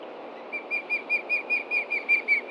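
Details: Osprey alarm from a Montana nest, 30 June 2013, about 11:30 AM, with a threat below. Around ten shrill whistled notes are repeated evenly at roughly five per second.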